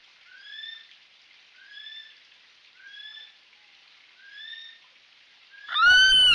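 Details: Kiwi calling in the distance along the Rangitane Stream in New Zealand: four soft, rising whistles about a second apart, then a loud close whistle starts at the end as a nearby male begins calling.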